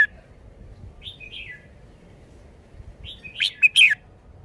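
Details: Song of a caged red-whiskered bulbul showing off its phrasing: a soft gliding whistled note early, a pause, then a loud tumbling cluster of three bright chirped notes.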